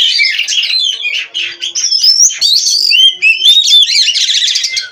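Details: Oriental magpie-robin (kacer) from a breeder, singing continuously: mixed scratchy chatter and pure sliding whistles, building into a dense buzzing flourish.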